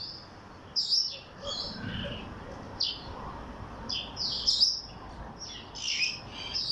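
A cockatiel gives short, shrill chirps and squawky whistles in irregular bursts.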